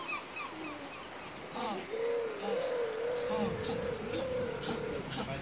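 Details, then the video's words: African penguin (Spheniscus demersus) calling with a long, steady, wavering tonal note that starts after soft scattered noises and holds for about three seconds in a fairly quiet setting. "Die Laute des Brillenpinguins"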